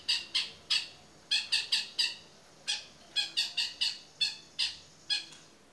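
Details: Long-tailed shrike singing busily in 'toet miyik' style for tutoring other birds: loud rasping, scratchy notes delivered singly and in clusters of two to four at uneven intervals.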